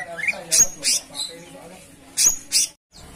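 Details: Caged cucak cungkok in loud song: sharp, broadband chirping notes with thin high whistles, in bursts of two spaced irregularly, then a short silence.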